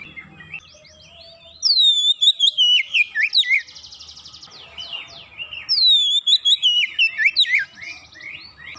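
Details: Oriental magpie-robin, stirred by a single lure sound, sings two loud bursts of fast whistled, swooping notes with a short buzzy rattling stretch between them.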